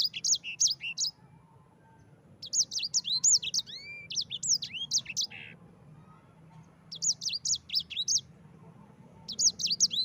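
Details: Master recording of a yellow-fronted canary's rolling 'ngerol' song for training birds: clusters of quick, sharp, high whistled notes and swooping slurs in several bursts, separated by quiet spells.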